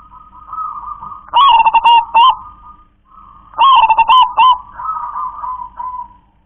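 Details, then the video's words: Local wild zebra dove singing in the KONG KLAR-KE-TEK-KONG style: two phrases about three seconds apart, each a soft lead-in note then a loud stuttered, rattling coo ending in a drawn-out trailing note. "perkutut lokal warisan suara KONG‼️KLAR-KE-TEK-KONG"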